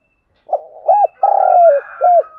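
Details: Lure spotted dove in full call: a soft opening note, then an arched coo, a long sustained hoot that slides down, and a final short arched coo.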